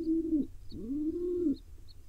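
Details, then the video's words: Wild pigeon chick in Israel, its father feeding it, whines twice. A short level squeal is followed by a longer one that rises and then cuts off sharply. "Pigeon Dad feeds his cute tiny baby"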